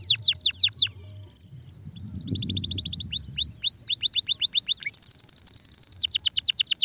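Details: Stimulating canary song with quick downward whistled notes, a brief pause with faint low rumble, then a rapid high rattling roll and looping syllables, closing on a dense fast trill.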